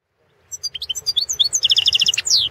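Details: European goldfinch of the Balkan form entered in a 2016 world song championship held over the Internet; a quick run of high twittering notes builds into a dense rattling trill, then ends on a long downward-sweeping whistle.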